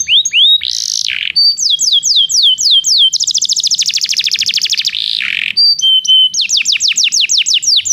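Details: Belgian canary song for training canaries that do not sing: bright high downslurred whistles repeated in runs, a fast rolling trill in the middle, a few harsher lower notes, then more quick whistled tours.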